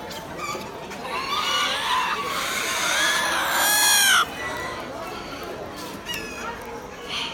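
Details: A brown red Aztec rooster at an expo on 20 October 2019 gives one hoarse crow that rises, then holds for about two seconds before breaking off, over steady crowd chatter.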